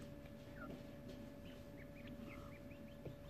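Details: Quail chicks 18 days old, a first hatching, huddling in a brooder box. Soft, high little chirps and short upturned peeps scattered through a steady hum, with faint shuffling.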